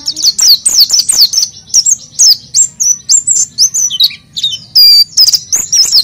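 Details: Oriental white-eye lure song: loud, high, clear whistled and chirped notes in separate bursts about every half second, some sliding down in pitch.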